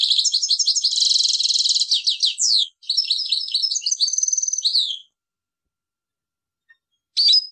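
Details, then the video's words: European goldfinch singing: a long rapid twittering run of liquid chirps and buzzy trills lasting about five seconds, a brief gap, then a short sharp chirp. "best Goldfinch singing , le plus beau chant de chardonneret"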